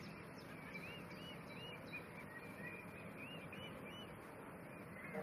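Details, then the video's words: Female Fischer's lovebirds, blue and pastel blue, kept apart from their male partners, give quick series of short, arched, squeaky chirps, several per second, over a steady hiss of other birds and room noise. "bird Chirping Sounds - Blue Fischer & Pastel Blue Fischer"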